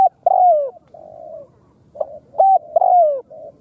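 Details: Rolling low coos from a Khmer spotted dove: a long downward-sliding hoot followed by a softer purring note, then the same sequence repeated after a brief gap.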